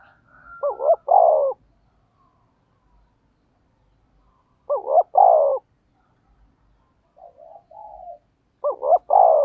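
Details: Spotted dove calling as a lure for wild doves. It gives three cooing phrases roughly four seconds apart, each of two short looped notes and a longer mellow coo, with quiet murmurs before the last.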